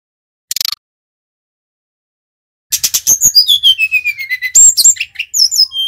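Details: Brown-chested jungle flycatcher, Bali type, singing energetically as a lure to prompt other birds to sing: a short buzzy burst, a pause of two seconds, then a rapid stream of high whistled notes sliding down in a descending run, with sharp chips.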